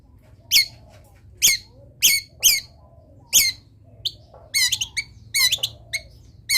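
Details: Long-tailed shrike giving mimicked wild-bird phrases: loud harsh notes that descend in steps, spaced a second or so apart, followed by quicker wavering chirrups, over a low steady hum.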